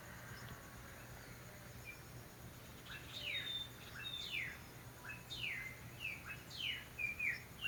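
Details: Spring song of mockingbirds heard through jasmine: repeated bright, falling whistled notes, some paired, coming in bursts, with a faint low hum beneath.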